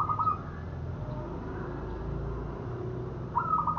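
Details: Local zebra dove coo for luring birds into traps: one rolling, trilled coo phrase at the start and another at the end, separated by a low droning background hum.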